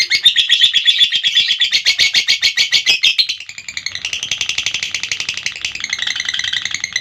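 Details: A lovebird's ngekek: loud, rapid, high chattering for three seconds, then a softer, slightly thinner continuation of the same fast trill through the rest of the clip.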